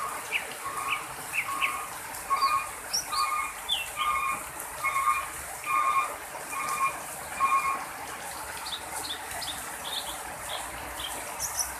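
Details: Greater green leafbird, a wild forest bird from Aceh, used as a lure for wild birds: a short rhythmic phrase repeated about once a second, with bright chirps and rising whistles scattered above it, over a steady hissing background.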